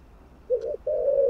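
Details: Brief spotted dove cooing, used to stimulate other doves: a low short coo followed by a longer, even coo.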